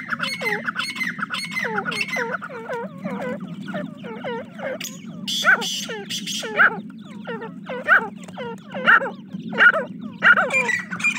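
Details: Teetar chicks, a group of young francolins, peeping constantly in quick falling notes, with louder hissy bursts from handling or movement recurring through the second half over a low background hum.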